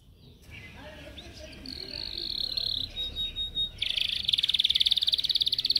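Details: Caged yellow canary in song training, recorded on a Samsung S8 Plus: soft, faint warbling at first, then a steady high whistle that gives way to a loud, very rapid buzzing trill at the end.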